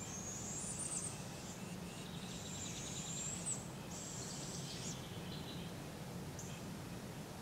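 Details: Barred owl fledglings fed by their parents in a Polk County, Iowa park on July 6, 2017: a run of overlapping hissing, raspy screeches, some rising, others level, then a short final rasp, against a low rumbling background.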